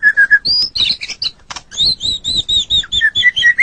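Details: Master recording of a white-rumped shama for training songbirds: clear whistles, then quick chattering notes and a brief rattle, followed by a lively series of sweet, repeated whistled notes rising and falling.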